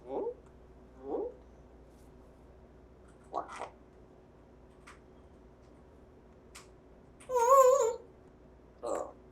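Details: Talking African Grey parrot kept as a household pet since December 2020 makes several brief speech-like syllables, then a loud wavering whistle near the end, followed by one more short voiced burst, indoors.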